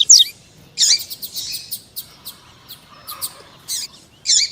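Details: Double-collared seedeater pair, captive, female calling to stimulate a male to sing: scattered high buzzy chirps and short clicky notes with pauses, a faint lower murmur in the middle.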